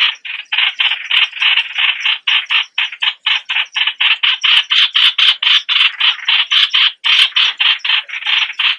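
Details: A white-eye kept as a lure bird gives a steady run of harsh, buzzy chattering notes, about three per second, fairly loud and continuous with no other sounds.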